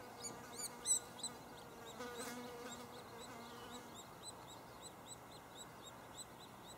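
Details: At a White-headed Woodpecker nest cavity in a snag in Lassen Volcanic National Park, thin, high chips come about three times a second as nestlings' chirping grows louder when the male arrives to feed, with a brief lower nasal honk early on.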